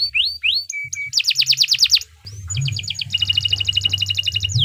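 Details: Canary's long gacor master song for teaching other birds: a few upward whistled slurs, a rapid pulsing trill, then a sustained high whistle leading into a fast even roll, over a low background hum.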